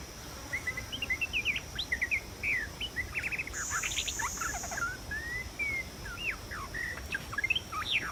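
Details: White-rumped shama singing in the wild during trapping: a rich run of varied short whistles, slurred upsweeps and quick trills, notes jumping between low and high pitch, over a steady high insect drone.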